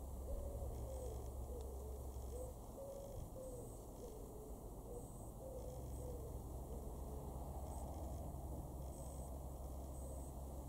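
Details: Common wood pigeon (Columba palumbus) in a garden in Weener, East Frisia, far northwest Germany, September 2023: soft, hollow hooting coos in a steady rhythmic phrase over a constant low rumble with faint high chirps.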